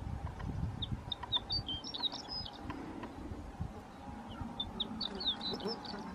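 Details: Horned lark song: thin, high twittering notes and short rising and falling chirps in loose bursts, with a busier tinkling run near the end, over steady low rumble and broadband outdoor noise.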